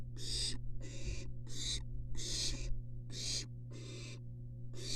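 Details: Calm barn owl siblings, three together in a nest box on a University of Florida nest cam. Noisy, breathy screeches come in quick succession, seven within five seconds, some longer and drawn out, above a low background hum.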